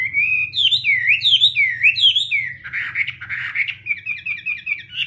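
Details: Melodious Chinese hwamei song: rich, looping whistles rising and dipping for two seconds, then a burst of rough buzzy notes, ending with a quick run of short bright chirps; low hum underneath.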